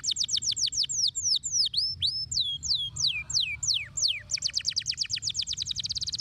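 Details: Canary stimulating song meant to make a silent canary sing: a fast sequence of high, steeply falling whistled notes in repeated trills, quickening into a rapid run at the end, over a low steady hum.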